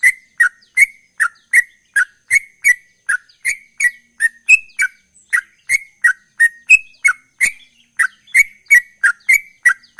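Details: Ten seconds of unbroken ropel-style song from a sooty-headed bulbul: evenly paced sharp chirps, about three per second, alternating slightly higher and lower notes, with nothing else audible.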